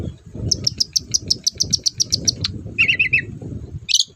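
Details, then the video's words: Long-tailed shrike singing to goad reluctant shrikes: a rapid evenly spaced series of about fifteen high sharp notes, then a short lower chattering trill and one buzzy squeak, over steady low rumbling noise. "BURUNG CENDET GACOR DORR, BIANGNYA PANCINGAN CENDET LOYO"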